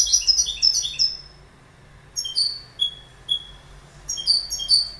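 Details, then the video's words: Goldfinch singing a short burst of quick tinkling notes, then a pause, then a series of separate bright descending high calls and a closing twitter. "Goldfinch Bird Sound"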